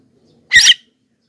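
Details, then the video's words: Javan myna calling loudly, recorded to lure wild mynas and draw replies from other birds; a single harsh, buzzy squawk lasting about a quarter second, with silence around it. "suara BURUNG JALAK KEBO,gacor menggelegar,semua jalak kebo auto nyahut"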